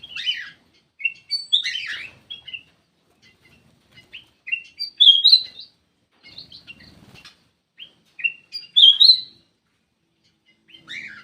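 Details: Black-crested bulbul lure call: bursts of bright whistled and chirpy notes around the upper-middle register, some rising slurs, in short phrases separated by pauses of one to two seconds; quiet background.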